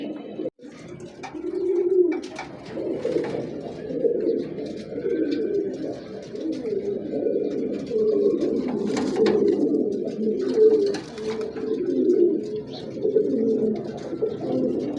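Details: A flock of high-flying Giribaz domestic pigeons, males and females, coos together in low, throaty, overlapping rolls that never pause; recorded 11 January 2026.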